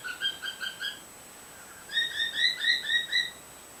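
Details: Female white pet bird heard through a screen door, a male nearby: two runs of five or six evenly spaced, slightly nasal chirps, the second run pitched higher and louder than the first.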